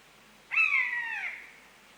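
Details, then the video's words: A common buzzard (Buteo buteo) gives a single drawn-out, cat-like mewing call that slurs downward and fades in under a second, against a quiet background. "Buzzard [Buteo Buteo] Sound Effect"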